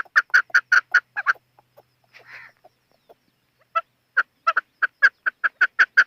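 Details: Chukar partridge in rapid clucking chuck notes, then a short pause with a soft rasp and scattered clicks. A quickening, regular run of loud chuck notes follows.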